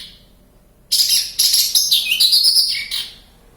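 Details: Wild Javan bush lark from Kediri, Java, in full song: after a brief faint note and a silence, one sustained outburst of fast, scratchy, high-pitched chattering that slides downward and ends in a lower slurred note.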